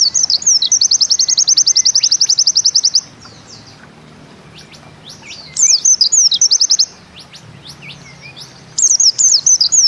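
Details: A 'nembak ziperrr' song from a Bustomi-type white-eye (pleci): a dense rattling trill of high notes, then short phrases of dipping whistles each merging into brief zipper runs.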